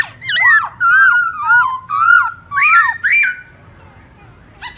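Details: Black-throated laughingthrush singing its forest-style morning song, used for training young birds to learn song: six loud, rich whistled phrases with slurred rising and falling notes, given in quick succession over about three seconds, then near silence.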